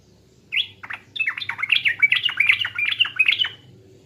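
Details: East Javan sooty-headed bulbul in pancingan lure style, opening with an upswept note before running into a fast, lively chatter of liquid rising and falling notes lasting about three seconds.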